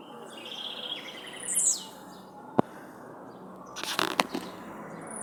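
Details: Blue-black grassquit freed into nature: a faint steady whistle, then one high buzzy downward-sliding note. Later come a sharp click and a burst of rustling, knocking noise, with another high note starting at the very end.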